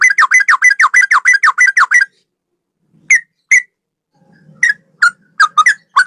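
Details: Male sooty-headed bulbul pouring out a two-second stream of rapid, rolling whistles in ropel style, followed by scattered single notes and quick doubled whistles after a short low murmur.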